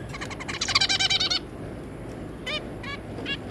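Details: Zebra finches, a pair with their three juveniles, recorded 3 July 2022, give a quick burst of nasal, toy-trumpet calls, then three spaced single honks about every half second, over a soft room hiss.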